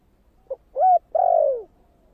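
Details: Spotted dove, 'thổ' style coo for rousing wild doves: a faint short note, a firm level coo, then a long drawn-out coo sinking in pitch, the phrase cut off before its last note.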